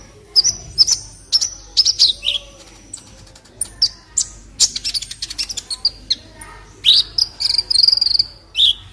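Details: Masteran tutor song of an olive-backed sunbird, known locally as kolibri ninja: a busy run of high, thin chirps and short slurred whistles, with a pause and then a dense sputtering series ending in a bright sustained phrase.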